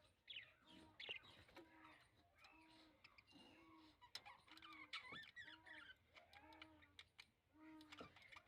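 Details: Breeding budgerigars chatter busily, with quick scratchy chirps and short repeated nasal notes.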